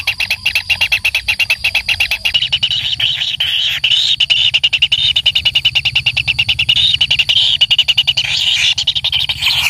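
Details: Kingfisher nestling being fed by its parent gives dense, rasping high notes in a quick, uneven stream, with a faint low hum underneath.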